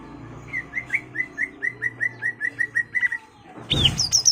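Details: Greater green leafbird, a caged bird singing to provoke a rival to fight: a steady run of about a dozen short rising whistled notes near two seconds apart in quick succession, then a louder burst of higher sharp notes, with low background hum.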